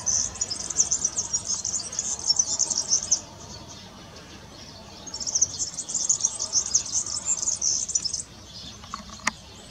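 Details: Singing European serin, with two long bursts of very high, fast, scratchy jingling separated by a gap of about two seconds, followed by a faint click near the end.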